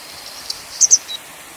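A grey wagtail gives a quick, sharp, very high double 'tzit-tzit', with a fainter third note just after, over a soft background hiss.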